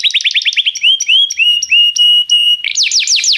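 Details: Tutor song of a canary for teaching a young canary: quick repeated swept notes give way to slow rising whistles and a held pure tone, ending in loud descending sweeps.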